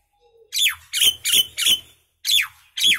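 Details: Common myna, also called Indian maina, singing: six harsh, broadband squawking notes with sharp downward-sweeping whistles, delivered in bursts with brief pauses between them.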